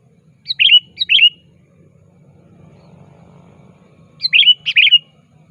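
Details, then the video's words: Sooty-headed bulbul (kutilang) calling a rival, used as a lure for bird trapping: two pairs of short bright chirped notes, each with a quick rising-falling flourish, separated by a pause over a low steady hum. "Suara Burung Kutilang Gacor Aktif Memanggil Lawan"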